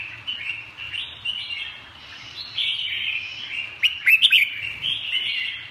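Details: Red-whiskered bulbul warbling softly and continuously, then a short burst of sharp, clipped whistles near four seconds before easing back into quieter chatter, with some background hum.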